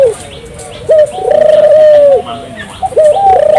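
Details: Singing puter turtle dove: short sharp introductory notes, then a long level low coo of over a second, then more clipped notes, clear and close with faint background hiss.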